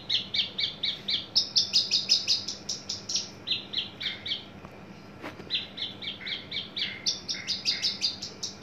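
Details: {'caption': "A tame, caged adult male Horsfield's bush lark, newly in breeding condition and prepared for contests, delivers a near-continuous stream of fast buzzy chirps with one short pause."}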